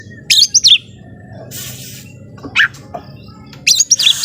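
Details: Home-kept Oriental magpie-robin in lively song, said to provoke rival birds: a few short high twittering bursts with sliding notes, separated by pauses, over a faint low hum.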